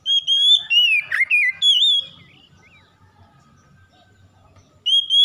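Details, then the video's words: Gacor Oriental magpie-robin singing, played as daily therapy to prompt a bird to open its beak and sing: a quick run of loud, slurred, high whistles with one harsher buzzy note, then near silence before a rising whistle returns. "TERAPI KACER CEPAT BUKA PARUH HARIAN GACOR"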